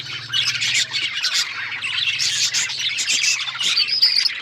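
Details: Busy chatter of pet budgies: overlapping bright chirps, squeaky whistles and warbled notes running without pause, with a steady low hum in the first second.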